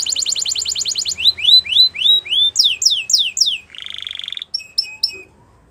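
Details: Singing Belgian canary delivers a rapid high trill, then slower rising whistles, loud descending slurs, a buzzy rattle near the end and a few scattered sharp chirps.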